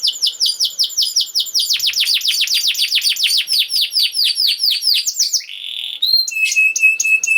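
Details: Canary song used for training young canaries: a rapid roll of repeated down-slurred notes speeding into a dense trill, then a buzzy note and steady whistled tones, high and continuous.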